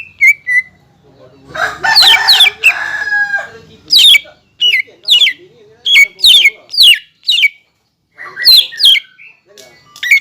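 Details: Green leafbird singing to provoke rival birds into singing, its song said to carry imitations of the black-capped kingfisher, the white-rumped shama and the oriental magpie-robin. Loud sharp whistled notes and downward slurs come in bursts, with a harsher broadband chattering passage early on.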